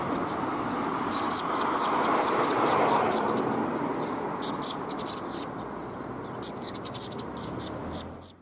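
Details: Sparrows coming to be fed at a shrine's front approach, 26 March 2021: rapid high chirps in runs, repeated several times a second, over loud traffic wash that fades toward the end.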